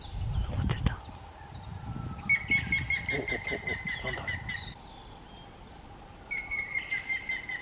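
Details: Grey-headed woodpecker in May 2024 calling a run of ringing whistled notes, slightly descending and evenly repeated, then pausing and starting a second series; rustling and low thumps are heard at the start.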